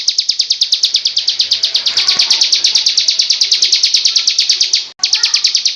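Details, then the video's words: A ciblek (bar-winged prinia) gives its Cristal song, a quick machine-like series of piercing high ticks, very regular, briefly breaking off near the end before resuming. "suara ciblek Cristal"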